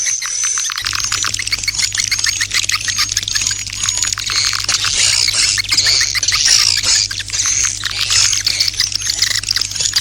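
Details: Swiftlet calling sound in the 'Serangan Fajar' (dawn attack) style: crowded, high-pitched twittering with rapid clicky chirps in constant overlap and a faint steady hum underneath.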